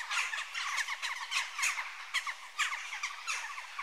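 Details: A busy group of Western jackdaws calls, with many short, harsh, high chak and tchack notes overlapping. Louder individual calls punch out roughly every half second above a steady background chatter.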